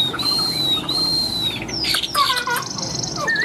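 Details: Tame Chinese hwamei singing loudly: two long, level, sustained whistles, followed by a burst of sharp, scratchy notes and a short rising whistle.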